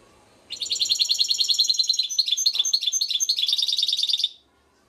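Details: European goldfinch, described as a baster or mule, sings a fast, bright twittering song of high chirped notes, repeated about three times a second for nearly four seconds, with a clean, quiet background.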